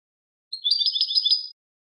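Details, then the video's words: European goldfinch clean song (canto limpio): one second of rapid, liquid twittering with tightly packed high chirps and slurs, crisp and bright against silence. "Cante de jilguero (canto limpio)"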